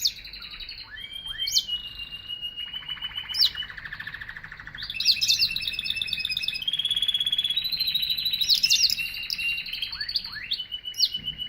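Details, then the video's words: Canary in continuous song: fast rolling trills at several pitch levels, linked by curved downslurred whistles and sharp high chips, with no real pause throughout. "Singing Canary"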